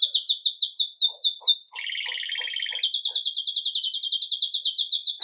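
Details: Live Campainha song of a red agate mosaic Belgian canary beginning its day: a rapid high trill of descending notes, a harsher lower roll with faint soft ticks beneath, then the fast high trill resumes.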